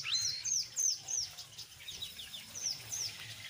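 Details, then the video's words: Brown jongkangan in lively ngeriwik song mixed with ngeplong, meant to lure untrained jongkangan into singing: thin high whistles, each sliding downward, repeated about three times a second over soft background chatter. "SUARA BURUNG JONGKANGAN COKLAT NGERIWIK GACOR"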